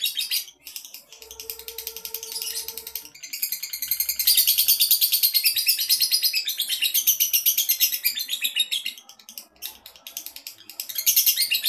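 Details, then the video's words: Contest-ready male lovebird delivering a long, continuous, high-pitched chattering song of rapid pulsed notes, with a brief steady lower tone early on and slight dips in intensity. "CARA Mengetahui LOVEBIRD Jantan siap LOMBA??"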